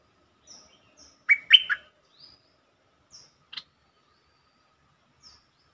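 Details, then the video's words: Lure song of a bulbul, played to rouse birds: a short burst of three loud, gurgling whistled notes, with a few faint high chips scattered before and after in quiet surroundings. "เสียงนกดอกแตงEp.147 เปิดให้นกคึก เพลงดีสำนวนน่าฟัง Suara pikat merbah lekir"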